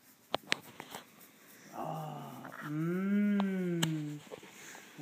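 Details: Female pet cockatoo, very excited when asked if she wants sunflower seeds, gives a drawn-out nasal, harmonic vocalization lasting about two seconds that rises then falls, preceded by sharp clicks and a person's soft voice.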